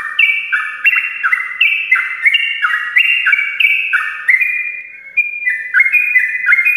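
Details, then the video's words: Sooty-headed bulbul pouring out its long morning ropelan, intended to get lazy birds singing; tumbling sweet whistles stepping up and down in rapid phrases, with a brief softer dip near the end. "ropelan panjang trucukan gacor pagi hari untuk pancingan trucuk malas ropel"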